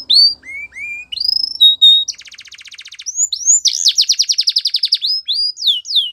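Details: Training song of a Belgian canary for young birds, with rising whistled slurs, a low buzzing rattle, then a fast run of sharp repeated notes and further upward-sweeping whistles.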